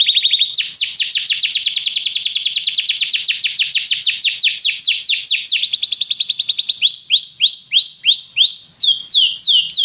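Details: Canary song for canary training: a short low rolling trill, then a long rapid train of downward sweeps, a pause-free switch to slower, widely spaced rising-falling whistled notes near the end.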